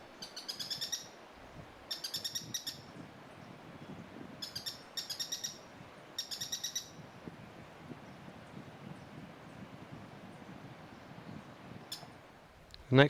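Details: Streak-backed Treehunter in undergrowth beside a road, San Gerardo de Dota cloud forest, Costa Rica, summer 2017: repeated bursts of rapid, sharp, dry high notes in short clusters over about seven seconds, a lone note later, then a louder low sound closing.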